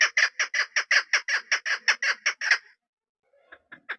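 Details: Female chukar partridge kept for hunting, giving a fast series of about thirteen harsh, clucking chuk notes at roughly two and a half per second, then a short silence followed by a few softer notes.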